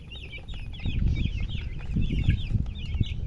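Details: Baby chicks give fast overlapping high peeps while low thumps and rustling handling noises rise in the background.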